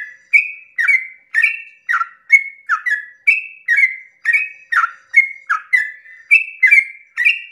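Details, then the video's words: Dawn 'ropel panjang' song of a sooty-headed bulbul, meant to provoke other bulbuls: a rhythmic chain of short, liquid whistles, alternately rising and dipping, about two a second, with a clean, quiet background. "pancingan trucukan ropel panjang subuh pagi hari merangsang emosi trucuk lain agar ikut bunyi Ropel"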